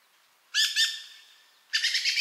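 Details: Dusky thrush (Turdus eunomus) calling, recorded 10 November 2007 in Omachi, Nagano, Japan: two harsh, chattering bursts about a second apart, each a quick run of rasping notes, in an otherwise quiet background.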